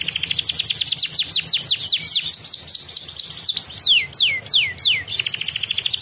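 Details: Canary delivering a lively 'ngedur' song: a steady series of quick downslurred notes that slows into drawn-out descending whistles before a rapid high trill resumes.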